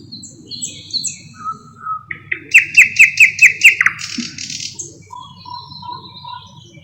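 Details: Thrush nightingale (Luscinia luscinia) in song, known to imitate other birds: soft high whistles lead into about six loud repeated clicking whistled notes, followed by a brief buzz and quieter low whistles.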